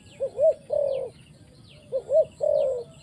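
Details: Spotted dove at a trapping site giving two coo phrases, each a quick double note followed by a sustained low hoot, while faint high-pitched chirps from other birds sound behind.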